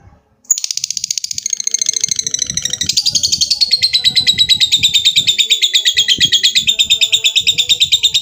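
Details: Lovebird giving a long 'ngekek' trill to call a rival: a sustained, very rapid high chattering trill that starts abruptly and runs unbroken for nearly eight seconds, about three pulses a second, growing slightly louder, with faint low background murmurs.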